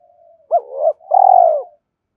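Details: Spotted dove coo played to urge doves to coo: a faint lead-in murmur, a hoot sliding into a soft warble, then a long vibrating purr that fades.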